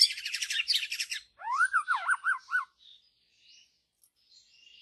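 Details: Wild white-rumped shama from deep forest: a rapid harsh buzzy rattle, then loud clear whistled notes rising and falling in quick succession, fading to soft distant notes.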